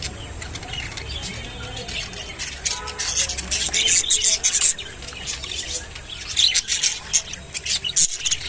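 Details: Rainbow budgerigar eating water spinach, giving rapid high twittering chirps and warbles, dense and irregular, with soft crunching bursts mixed in.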